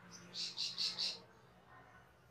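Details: Cucak keling master track for training cage birds: a quick run of four bright, high chirps in under a second, then quiet with a low steady hum behind.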